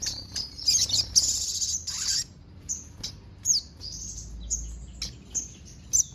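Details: Song of a sogon mimicking house sparrow, cililin and canary, with dense high buzzy chatter in the first two seconds, then scattered sharp high chips and short whistled slurs.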